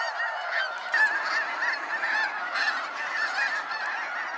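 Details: Snow geese streaming out at sunset over Sacramento National Wildlife Refuge: a thick blend of yelping, high-pitched honks from many birds, with a few louder calls standing out near the first second.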